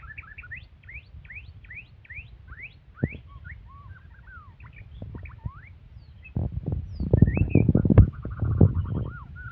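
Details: White-rumped shama in aggressive song: quick sweeping whistles repeated in a rhythmic series, then varied slurred notes, later joined by loud clattering knocks and thumps in the background.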